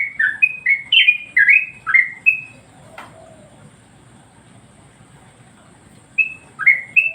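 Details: Yellow-vented Bulbul master song for training other birds: a quick burst of clipped, downward-sliding chirps, then about three seconds of silence after a faint click, before the notes resume briefly.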